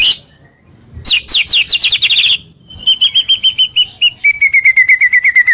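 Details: Rival-attracting lure song of a white-rumped shama: a quick series of sharp downslurred notes, then steady runs of clear, evenly repeated whistled notes, each run slightly falling in pitch.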